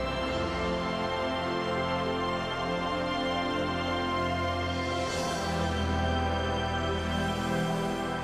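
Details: Soft, sustained instrumental music fills the whole stretch, with no animal voices.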